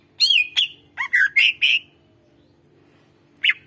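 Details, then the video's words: Greater green leafbird singing in a recording used to coax quiet birds into song: loud harsh slurred whistles and squawky notes in a rapid run of six, a long silence, then one more sharp call. "suara masteran cucak ijo gacor"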